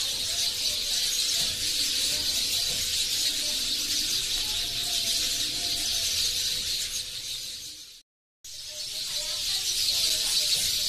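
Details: Huge flock of sparrows in a mulberry tree close to houses, continuous high-pitched chirping chorus of countless overlapping voices, briefly cut to silence near the end before the chatter resumes.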